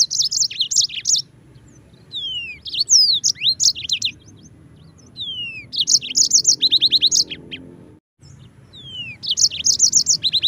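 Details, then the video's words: Yellow-fronted canary in continuous song, recorded as a tutor for training white-eyes: bursts of fast bright chirps and trills alternating with sweet slurred whistles, phrases repeating every few seconds, one brief abrupt silence. "Masteran Mozambik Gacor - REAL SUARA JERNIH"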